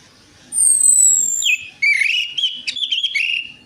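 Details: Orange-headed thrush song played as a lure to make a reluctant bird start singing: a long, clear whistle sliding gently downward, then a bright, rich run of varied warbled and whistled phrases over a quiet background.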